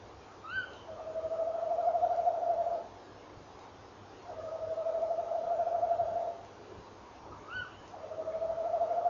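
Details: Male tawny owl on a woodland nest camera at 06:45 on 18 November 2013 gives long, steady, quavering trills of about two seconds each, while the female encourages him with short, sharp, rising calls between them.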